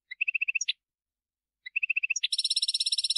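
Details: Field goldfinch calls: two short bursts of rapid even chirps, each ending with a sharper upward note, the second flowing into a loud, steady rattling trill.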